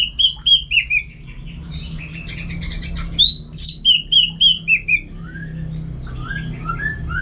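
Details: Orange-headed thrush, a contest bird kept in North Bali, Singaraja, singing at home. Clear whistled notes repeated about three or four times a second fall slightly in pitch, then softer lower slurs follow, with a low hum behind.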